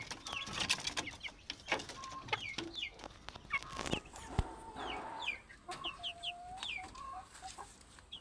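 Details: Fat chickens: high, thin, downward-slurred peeps repeat rapidly over soft, level clucks. A loud knock lands near the middle.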